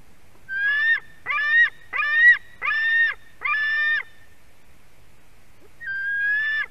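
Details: White-tailed eagle chick at a Durbe nest livestream, 31 August 2020, 4:50 pm, screaming as a parent delivers fish: five harsh, drawn-out harmonic screams in quick succession, a pause, then a sixth scream begins.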